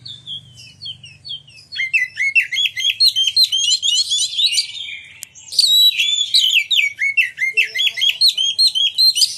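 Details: Oriental magpie-robin song played to stir other magpie-robins into singing and displaying: falling whistles opening into rapid, rhythmic chattering phrases of mixed whistles and buzzy notes, pausing briefly before resuming.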